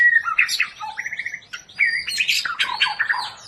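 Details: White-rumped shama of the long-tailed Medan kind, paired for breeding: a mix of whistles, a quick stuttering trill, short buzzy notes and rising fluty phrases delivered in a fast, varied stream.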